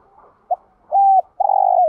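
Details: A spotted dove's repertoire used to excite other doves: after faint low murmuring come a short note, a flat sustained coo and a long throbbing coo that drops slightly at the end.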